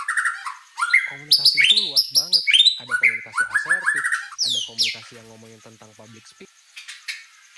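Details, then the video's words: White-rumped shama in lively, rich song: a fast, varied run of clear whistled notes, many rising or falling and repeated in quick bursts, then a high downward sweep. A man talks steadily underneath throughout. "Suara Burung Murai Batu Gacor"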